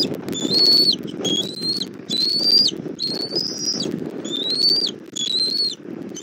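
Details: Bald eagle at a Southwest Florida nest cam, 1 April 2024 around 17:30, as the mother brings food for the chick E23; a series of high, thin, slightly rising whistled calls, about seven in six seconds, over low rumbling background noise.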